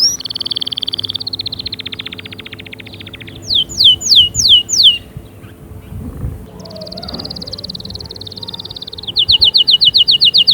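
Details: Canary song used as stimulation for other canaries: long high trills of rapid repeated notes alternate with bursts of loud, steeply falling whistled sweeps, the rhythm shifting between rolling trills and choppy notes; faint low hum beneath.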